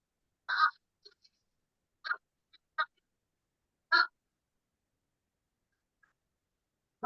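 A Fish Crow gives short, nasal 'ah' notes, single or in quick pairs, spaced irregularly a second or more apart. No other sounds stand out.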